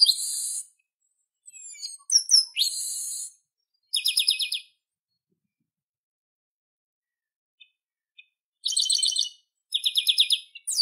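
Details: Garibaldi, the chestnut-capped blackbird, delivering a series of harsh buzzy and whistled phrases: a sliding whistle and rasping notes early, a short trill at four seconds, then two fast rattling strophes after a long silence.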